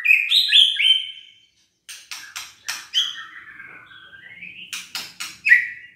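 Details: White-rumped shama song for goading lazy birds into singing: loud warbled whistles opening, silence, then a series of sharp clicks spaced about a quarter second apart around a long smooth whistle rising in pitch.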